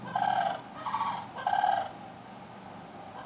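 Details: Cranes in a backyard on September 8, 2013, giving loud rolling bugling calls, three bursts about half a second each in quick succession, then quiet.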